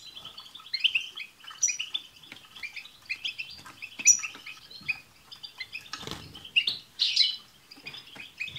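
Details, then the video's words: Group twittering of European goldfinches with 'tsts' notes, aimed at making a pet goldfinch sing. Chirps come in loose clusters, with a rough rustling noise near six seconds and a loud buzzy burst at seven. "بتبتة حسون جماعية رهيييبة مع تستسات تجعل حسونك يغرد في دقيقة"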